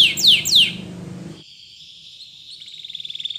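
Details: Spanish Timbrado canary singing for training other canaries: two loud downward-sweeping whistles, then near quiet, followed by a thin, steady high trill building toward the end.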